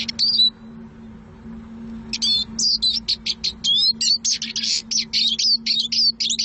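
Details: Eurasian siskin song: one brief twitter, a pause, then a rapid continuous stream of high chirps, slurred whistles and short buzzy notes, with a constant low electrical hum underneath.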